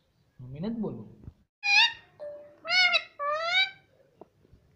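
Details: Talking pet parrot indoors uttering a series of harmonic, word-like syllables, one rising-falling then several steady tones, as if repeating 'mummy' in a nasal voice.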